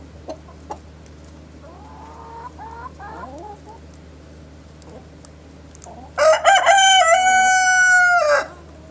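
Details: Chickens cluck softly in the morning with faint sharp knocks, then a rooster breaks in with a loud crow: quick stepped opening notes and a long, bright, sustained note of about a second and a half.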